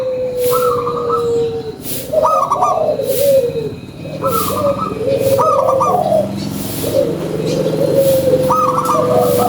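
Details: An actively singing local zebra dove delivers its lure song, a series of stuttering, rolling coo phrases repeated roughly every one to two seconds at steady volume.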